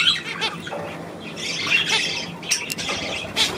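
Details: Budgerigars on 9 February 2024 chatter in high, grating warbles and short squeaky notes, rising and falling in loose bursts roughly every second or two.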